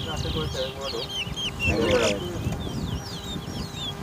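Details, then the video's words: Towa towa (chestnut-bellied seed finch) singing in a bird race competition at a bird ground on Lamaha Street, Georgetown, Guyana, 2023; quick, high whistled slurred notes in a rapid run, with people talking low in the background. "TOWA TOWA BIRD RACE"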